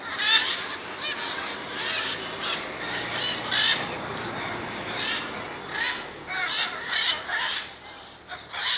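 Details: Gathering of macaws at Jaumave, Tamaulipas, Mexico, February 2015: scattered harsh squawks from several birds, irregular and somewhat distant, rising in a cluster near the end.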